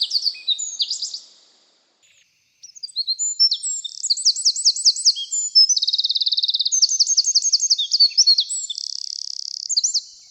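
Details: Eurasian wren, one of Europe's smallest yet loudest birds for its size, often hiding in dense shrubs, pours out a loud, high, rapid song of sharp notes and fast trills, broken by a short pause, then bursting on in energetic phrases.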